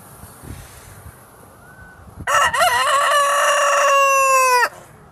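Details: In windy weather, a rooster gives one loud, harmonic crow of about two and a half seconds, rising at first, then held steady before stopping abruptly, with faint wind before it.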